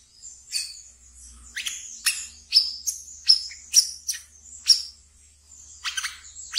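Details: Brown-throated sunbird kept as a pet, chattering ngeriwik song meant as a training lure: spaced clusters of shrill, clipped chirps, several in rapid succession mid-phrase, then a quieter pause and a final burst.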